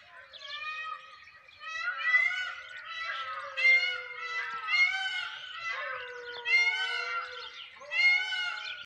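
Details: Indian peafowl in a small village in Rajasthan, India, on the morning of 1 May 2021 in bad weather, give loud, nasal, wailing cat-like cries about one every second and a half, each bending up then falling.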